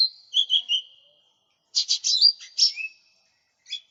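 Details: Lesser green leafbird in full song for luring and tutoring birds: a soft warbled whistle, then a pause, then a fast cluster of sharp chirps and a bright rising whistle, ending with a single chirp.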